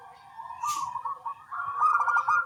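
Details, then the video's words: Local zebra doves singing busily in the morning, answering one another; a soft, bubbly cooing held near one pitch, with a brief hiss partway through and a denser rolling coo toward the end. "Perkutut lokal suara kecil gacor pagi hari bersahutan"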